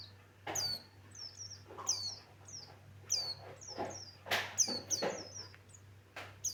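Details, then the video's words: Male white-eye of the Buxtoni form singing vigorously: high, thin, downslurred whistled notes in quick two- and three-note phrases, broken by loud dull knocks and rustles, over a steady low hum. "Suara Burung pleci Buxtoni Bikin geger"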